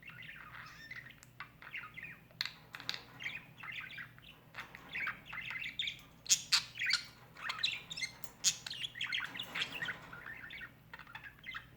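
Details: Pet budgerigar, a male who had not seen another bird in over a year, during a slow introduction to a new bird: busy warbling chatter of quick chirps, squeaks and rasping notes, growing louder and denser toward the end.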